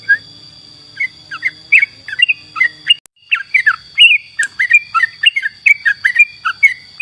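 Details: Yellow-vented bulbul in energetic song for training other songbirds: dense, cheerful phrases of short warbled and slurred notes, with a brief break at three seconds. A faint low hum and a constant high tone run in the background.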